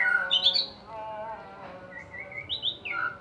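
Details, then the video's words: White-rumped shama song used as a lure to provoke other birds to sing: short whistled phrases at the start, a quieter pause, then more clear whistled notes returning at the end. "BURUNG MURAI PALING GACOR||PANCINGAN PEMULA"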